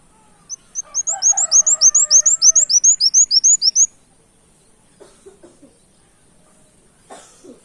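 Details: Canary-like phrases from a brown-throated sunbird used for luring birds: a rapid burst of sharp rising chirps lasting about three seconds, with softer lower warbles beneath, followed by faint scattered clicks.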